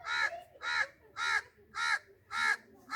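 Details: Parrot uttering six evenly spaced, loud, grating squawks, roughly two per second, with little else audible.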